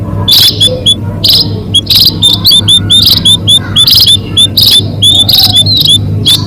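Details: Munias calling as a lure for trapping birds: bright, high chirps in clustered bursts about every second, with thin upward-flicked notes between them over a low background hum.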